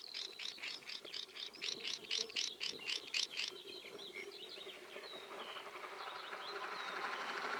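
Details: Swinhoe's Snipe giving a rapid train of rasping, chirping notes for about three and a half seconds, then fading into softer scattered calls under a rising background hiss.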